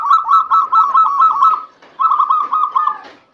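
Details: Local zebra dove singing to lure lazy doves into song: mellow cooing phrases of evenly repeated rolling notes, given in two runs with a brief break between them.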